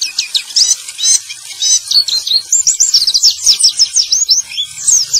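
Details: Song of a male white-eye, meant to stimulate silent white-eyes into singing again: quick high chirps and downward-sliding whistled notes strung in a busy, continuous twitter.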